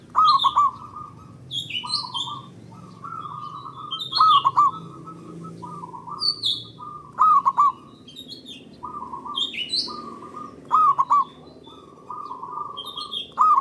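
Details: Zebra dove, local type, singing long and loud as a lure to set other doves singing: repeated bubbling trilled coos mixed with short hollow notes across the whole stretch, with frequent high chirps and whistles from other birds.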